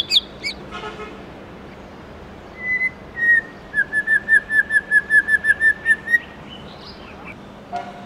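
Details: White-rumped shama morning song, forest-voice style. After a brief high flourish, clear whistled notes begin singly and then repeat quickly and evenly for several seconds, each one sliding slightly. A low hum runs underneath.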